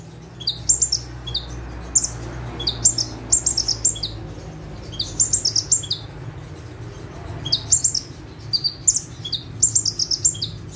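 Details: Bar-winged prinia (prenjak tebu) delivering energetic bursts while sitting calmly on one perch; high chattering trills and piercing chips come in groups of several notes, pausing between groups, with a low background hum.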